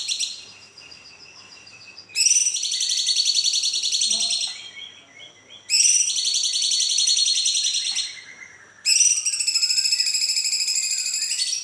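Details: Cucak cungkok bulbul giving a long rolling song, played to lure or train other birds into singing; three extended high, buzzy, rapidly pulsed trill bouts, each lasting about two to three seconds, separated by short quiet gaps.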